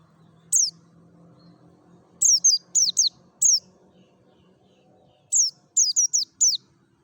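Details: Merapi mountain white-eye in ngalas-style song, a lure for other white-eyes: clusters of bright, high falling whistles, one, then three, then one, a long pause and four more, over soft low background rumble.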